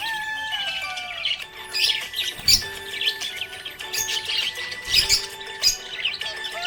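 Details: A happy budgie chatters in rapid, buzzy, high-pitched bursts that swell and fade in loose clusters every second or two, over continuous background music with sustained tones.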